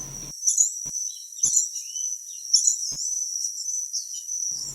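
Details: Santa Marta woodstar, a small bumblebee-like hummingbird endemic to Sierra Nevada de Santa Marta foothill forests, gives thin, very high squeaky chips in loose clusters over a steady high insect-like whine.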